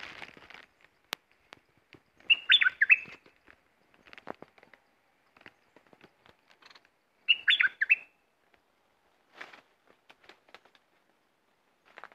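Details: Aggressive caged red-whiskered bulbul, a competition bird taken out for three days to lure wild birds, sings two short bubbly warbled phrases about five seconds apart. Scattered clicks and rustles fill the gaps between phrases.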